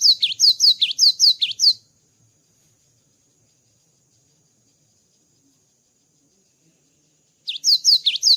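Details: Java sparrow after moulting gives a rapid run of high, sharp chirps for under two seconds, falls silent for several seconds, then resumes the same fast chirping.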